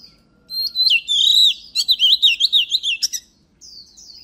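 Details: Oriental magpie-robin singing strongly, played to stimulate singing. Clear whistled notes run into a rapid string of wavering, undulating warbles, roughly three per second, and finish with a short, softer high trill.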